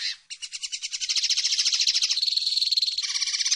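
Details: Common linnet, called pardillo or pajarel, singing a dense, fast twittering run of high buzzy notes that blurs into a continuous rattling trill, with a steadier whistled tone near the end.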